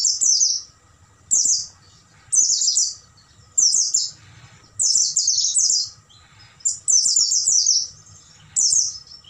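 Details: Night song of Oriental white-eye used to train caged birds, made of bright, high chattering bursts of quick falling notes, each burst brief and separated by short pauses, over a quiet low hum.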